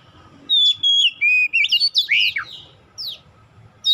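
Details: Oriental magpie-robin song used as a trigger to get young, untrained magpie-robins singing quickly: loud, clear whistled phrases, a held steady note, then rapid rising and falling slurs and sharp downward sweeps, with short pauses and a faint low hum beneath.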